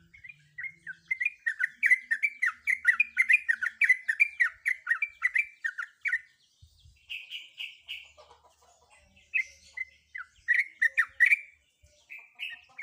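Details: Female sooty-headed bulbul in breeding condition calling to a male: long runs of rapid, bubbling chattering notes, then a pause and further squeaky, slurred phrases and short chatters.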